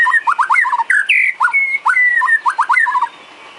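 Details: Murai batu, the white-rumped shama, delivering isian training song for cage birds: clear mid-pitched whistles and quick chopped notes, several long level whistles and rapid triplet phrases repeating through the recording.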